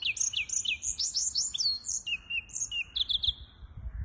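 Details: Hybrid finch singing, recorded 23 April 2023: rapid high twittering phrases, bright chirps and trills, and a short buzzy sliding note midway, delivered in quick bursts over faint low background hum.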